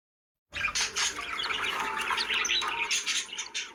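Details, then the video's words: After a brief silence, happy pet budgies burst into a continuous dense twittering of high chirps and scratchy chatter. "Happy Budgies Making Sounds || Happy Budgie Sounds"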